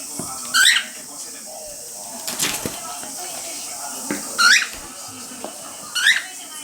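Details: Pet male cockatiel calling while a female cockatiel bathes under a water mister, in a pitch the owner jokes is meant to mimic the bathing sound; three sharp, rising harmonic chirps amid a woman's speech and hissing spray bursts.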